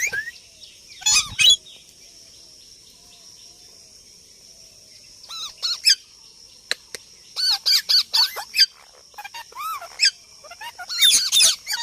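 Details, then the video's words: Parrot talking and making sounds: loud, harsh, bouncing squawks and chattering bursts in irregular clusters, with quiet gaps between, over a constant high electronic whine. "Parrot talking And Making sounds"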